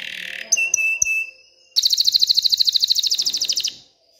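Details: Canary singing excitedly to prompt females to mate and build a nest: a brief buzzy note, several short clipped whistles, then a loud rapid trill of evenly repeated notes lasting about two seconds.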